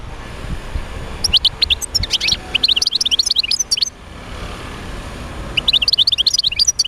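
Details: Song of a European goldfinch, used to prompt other goldfinches into singing. Fast, sparkling twitters and buzzy slurred notes run for nearly three seconds, break off, then return in another lively burst, with faint background hum.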